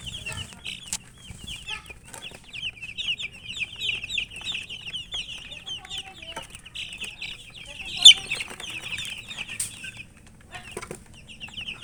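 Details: A group of chicken chicks feeding, a continuous band of high piping chirps from many birds, with a sharp loud knock about two-thirds through.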